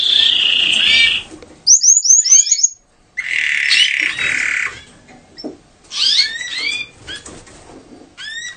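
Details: Canary, given as a Gloster, singing its mating song: bright, fast trills and rolls broken by quick rising whistled slurs, high-pitched and varied, with short pauses between phrases.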